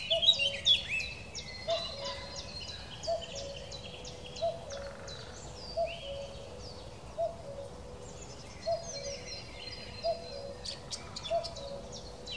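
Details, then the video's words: A cuckoo, labelled Common Cuckoo and Cuculus optatus, gives low, soft hooting notes about every one and a half seconds against a busy chorus of high chirping and twittering songbirds. "Kuckuck / Common Cuckoo / Cuculus optatus"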